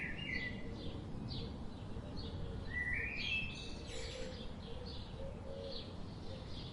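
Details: Birds chatter with rapid high chirps, and a rising whistled phrase climbs in steps near the middle, over steady background noise.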